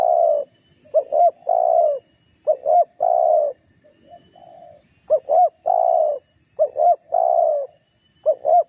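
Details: Spotted dove calling to provoke another dove, its phrases of two clipped upslurred notes and a long husky coo repeated several times, with a softer distant coo in a pause midway.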